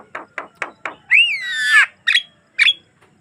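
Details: Javan myna in energetic song, a clean natural recording meant to prompt other mynas to sing: four short rasping clicks, a long wavering whistled phrase sliding downward, then two sharp, harsh squawks.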